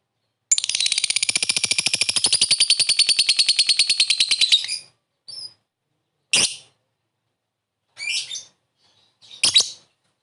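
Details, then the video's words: Lovebird ngekek to lure a quick response: a long fast rattling trill of rapid high buzzy notes for about four seconds, followed by scattered harsh squawks. "Suara burung Lovebird memanggil di sertai ngetik ngekek pancingan labet cepat respon"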